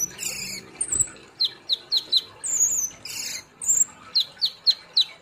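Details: Sunbird, locally kolibri Ninja or konin, kept caged and singing energetically: harsh high buzzy bursts alternating with short sharp whistled chips repeated in quick groups of three or four.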